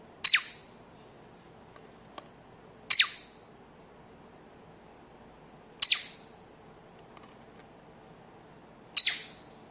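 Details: Cockatiel, a pet that plays peek-a-boo with its head in a paper tube, gives four shrill, harsh single squawks, one about every three seconds, over a faint low indoor hum.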